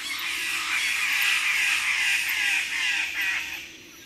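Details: Several Wallace's standardwings give animated group calls from the junior perch at Labilabi, a harsh, crow-like chorus of overlapping raucous notes, quickly repeated, fading toward the end.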